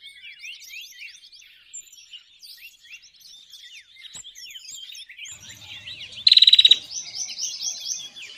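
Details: Bar-winged prinia lure call used for trapping birds. A long stretch of busy high twittering and chattering from several birds leads into a sudden loud, fast series of about eight sharp identical notes near the end.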